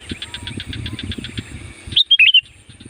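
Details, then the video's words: Sooty-headed bulbul (kutilang) lure song for calling wild birds: rhythmic background chirring and low rumble, then a loud quick sequence of whistled, warbling notes near the end. "SUARA BURUNG CUKUP AMPUH UNTUK PANGGILAN KUTILANG LIAR"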